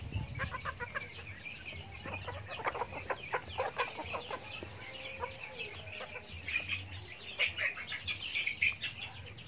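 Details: Backyard chickens at feeding time in their daily farm routine; continuous chatter of many birds, rapid stacked clucks early on and sharper squeaky calls toward the end.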